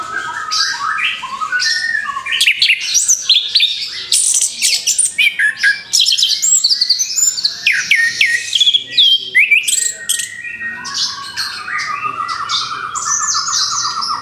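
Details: Freshly moulted orange-headed thrush in full, continuous song: a dense, varied stream of sharp chirps, rapid trills, whistled slurs and scratchy mimic-like notes with hardly a pause, ending in a rapid buzzy trill.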